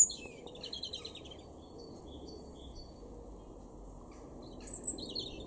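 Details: European robin singing in a garden in Weener, East Frisia, far northwestern Germany, April 2021: thin, high, tinkling phrases with rapid trills, fading to fainter notes before a bright burst near the end, over a steady low rumble.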